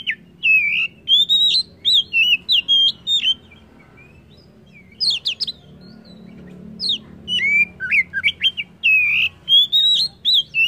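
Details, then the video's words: White-rumped shama singing rich whistled phrases in quick bursts, with a silent gap midway followed by sharp high chips and more rapid fluty notes, low background hum throughout. "Kacer apapun,PASTI NYAUT DAN GACOR dengar Kacer ini"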